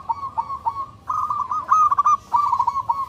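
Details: Local zebra dove singing loudly and clearly to find a mate: evenly spaced soft coos, then dense, rapid trilled phrases of clipped notes at a steady pitch.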